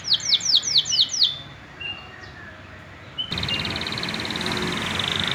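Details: Young male canary practising song: a quick burst of five or six downslurred whistles, a few soft scattered notes, then a buzzy, even trill against louder background noise.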